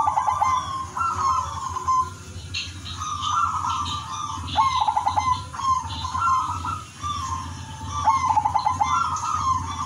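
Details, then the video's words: Udanmas silver zebra dove singing actively and melodiously, used as a lure to set other zebra doves singing: three cooing phrases, each opening with a rapid stuttering run of clipped notes, then a level ringing coo, over faint chirping birds and low hum. "perkutut udanmas silver gacor irama merdu jadi pancingan semua perkutut"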